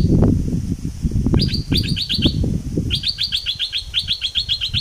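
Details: Bulbul from southern Thailand, a recording played to excite birds for trapping: quick runs of bright, chirpy notes repeated in tight series, a short burst and then a longer stream, over a low rumbling background.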